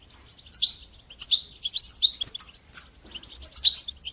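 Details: Goldfinch song used to coach young goldfinches into singing, made of lively twitters and tinkling trills in clustered bursts with a short lull in the middle.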